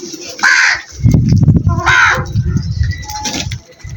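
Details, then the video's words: Crow giving two short, harsh caws about one and a half seconds apart over a steady low rumbling noise. "Incredible Crow Sounds"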